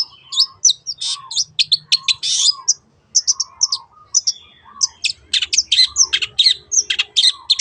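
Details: Long-tailed shrike song used as a lure to get other birds singing: a rapid run of harsh, scratchy high notes with whistled slurs and short pauses, phrases varied and mimic-like, loud and close.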